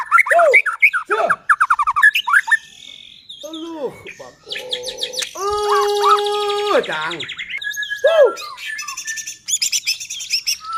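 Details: Murai batu in vigorous song to push other shamas to sing: dense cascades of quick falling chirps, arched harsh notes, a long rich held phrase with several layered tones, then more rapid twittering and high whistles.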